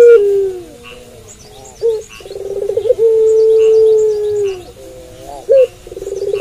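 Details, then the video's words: A puter pelung dove calls during the night. A falling low note is followed by short rising notes, a throbbing roll and a long even hum that slides down, then the roll begins again. Faint chirps sound overhead. "Puter Pelung Gacor Manggung Malam Hari"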